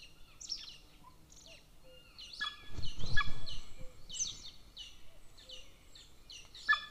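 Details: From a golden eagle nest camera in Estonia near a military training area, 13 May 2024: scattered high descending yelps over a stretch of low rumbling noise, with calls growing denser midway.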